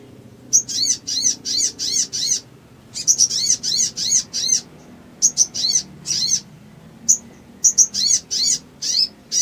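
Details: Sooty-headed bulbul (Pycnonotus aurigaster) song: rapid bursts of high, sharp chirping notes, each burst about half a second, in quick succession with brief pauses.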